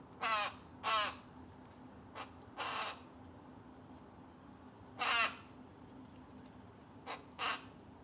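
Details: Rook chick, tame, pestering its mother during bird feeding, giving harsh, grating caws in irregular bursts: two quick loud rasps, a brief one, a longer caw, then more rasps spaced one to two seconds apart.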